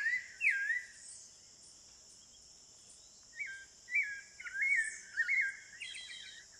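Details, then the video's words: A Spectacled Thrush (Turdus nudigenis) in Amazon rainforest at Serra do Navio, Amapá, Brazil, sings short, clear, slurred whistled phrases in a loose series after a pause. A steady high insect drone runs throughout. "O canto do sabiá Caraxué | The song of the Spectacled Thrush (Turdus nudigenis)"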